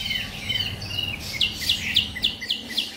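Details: Three-month-old white-rumped shama kept in a cage in Hanoi gives thin high whistles followed by a quick series of short, sharp downslurred notes, about four each second, over faint background hiss.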